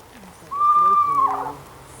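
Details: Eastern screech-owl (Megascops asio), whinny call.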